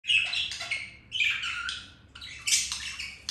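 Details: Pet budgerigars mating, flirting and playing, giving three bursts of bright, scratchy warbling chatter with quick chirps, each about a second long, separated by short pauses.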